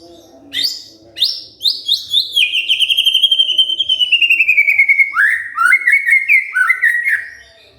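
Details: Provoked white-rumped shama answering loudly with a long rattling trill that drifts downward, then rising and falling whistled phrases and high chirps.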